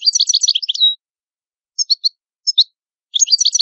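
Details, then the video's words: European goldfinch from Italy singing a fast liquid twittering phrase, then a few paired short notes, then another rapid twitter, all high and clean. "Canto Ottimo Bello del Italiano Cardellino"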